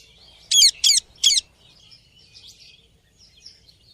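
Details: Three sharp, loud squawks from a ringneck parrot, closely spaced, then quiet, scattered chirping notes.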